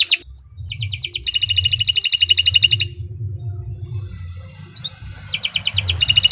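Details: Canary from a local Indonesian strain in long, vigorous song for training other birds: a sharp note, a fast buzzy trill lasting two seconds, a quiet gap with faint chirps, then the trill returns; low rumble throughout.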